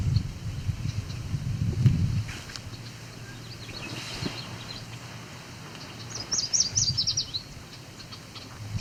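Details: A male Yellow Warbler sings in an edge habitat near fields, near Cape Chin North, Ontario, Canada, 17 July 2019: a quick, bright phrase of high sweet notes, 'sweet, sweet, sweeter than sweet,' over steady low wind rumble.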